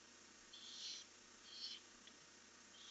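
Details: Two rasping, breathy screeches from a barn owl, picked up by a nest camera on the night of 1 July 2015 as the birds head out. A faint click follows. A low electrical hum runs throughout.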